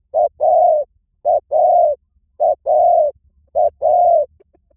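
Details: A spotted dove repeats a steady two-part coo, a short note followed by a longer level croo, four times at even intervals of about a second. No other sounds.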